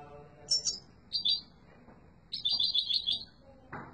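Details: Yellow mutation goldfinch giving a strong, lively song: a couple of short high chirps, then a longer rippling twittered phrase, ending in a brief low rustle.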